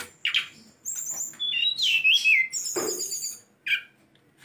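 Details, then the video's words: A tame songbird (sulingan gunung) gives a varied run of high, sweet whistles, including a long sliding phrase that wavers and falls, with short chirps before and after. "Sulingan Gunung / Tledekan jinak isian banyak"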